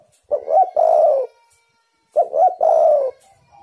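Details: Spotted dove calling, used as a lure to draw wild doves into calling. Two mid-pitched cooing phrases, each a quick stuttered pair of notes followed by one long, slightly wavering coo, separated by about a second of silence in a quiet setting.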